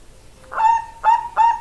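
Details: Bangkok-type zebra dove (perkutut) giving a short phrase of three soft, hollow coos, the first drawn out and the last two quicker and clipped.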